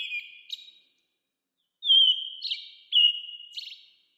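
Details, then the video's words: Whistled phrases of an American robin in 8D sound, one short note, then a pause and three strong sliding whistles close together. "American Robin Calling"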